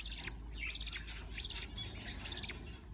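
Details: Budgerigar chicks at feeding time: four raspy, whistle-tinged squeaks, roughly one every two-thirds of a second, over a steady low hum.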